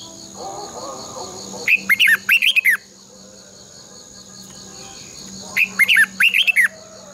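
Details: Red-whiskered bulbul, a caged bird used as a decoy for training other bulbuls to sing, giving two bursts of loud, rapid whistled and twisting notes, about six notes each, separated by a few seconds of quiet with a faint steady hum.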